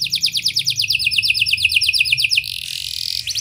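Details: Canary in lively, prolonged song, used to prompt young canaries to sing: fast trills of repeated high notes, a long descending rattle of ticks then a brief buzzy phrase, with faint low hum beneath.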